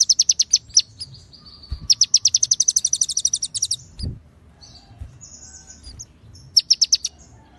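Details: White-rumped shama of the konin type singing ciblek and cililin fill-ins: rapid high chip series, a thin steady whistle, a long fast trill, scattered short notes and low knocks, then a final quick burst.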